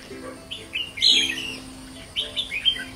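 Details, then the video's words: A white-cheeked Red-whiskered bulbul singing strongly gives two quick bursts of bright, bubbly, warbled notes about a second apart, over a faint low hum. "chào mào má trắng siêu ché"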